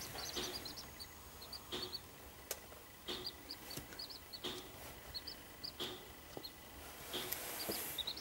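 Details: Seven-day-old captive-bred Corncrake chicks, being fed in Co. Offaly, Ireland, give thin, very high peeps in scattered clusters, interrupted by sharp clicks and soft rustling thumps.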